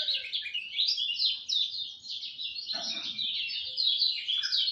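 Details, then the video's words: Lemon-bellied white-eye at dawn giving a dense, hurried warble of high, thin chirps without pause, with a brief lower burst of noise in the middle. "Kicau Joss Kecial Kuning Subuh"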